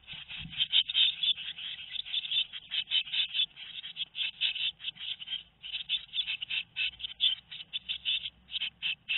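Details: Tit nestlings two weeks old in a nest at Théding, France, on 13 May 2019, giving a dense chorus of rapid, harsh, high chirps that pulse continuously without pause.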